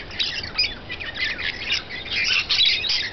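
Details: Brief burst of busy, rapid screechy chatter from rainbow lorikeets as they feed, notes tumbling quickly over one another.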